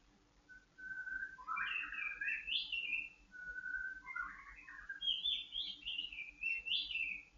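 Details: White-rumped shama, a kept bird set out for dew airing to steady its mood and breeding condition, sings clear whistled phrases: a level note, then rising slurred warbles, repeated twice with a higher trilled ending, over a faint steady hum.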